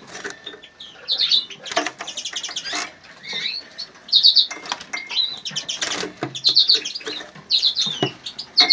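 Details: Cock Siberian goldfinch, captured with a phone, giving rapid, lively twitters: clusters of sharp high chirps and tinkling trills in quick bursts, separated by brief pauses, with soft clicks and rustles.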